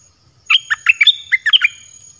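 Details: Lure song of a caged red-whiskered bulbul in the 'dok taeng' style: two quick groups of chirpy whistled notes, four then three, each note sharply rising or dropping, over a faint steady high tone.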